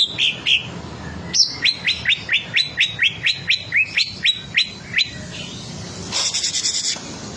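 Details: Cucak ijo, the green leafbird, showing off a rich, varied song: a dozen clear whistled notes, each rising then dropping, repeated about twice a second, followed by a dense buzzy chattering burst.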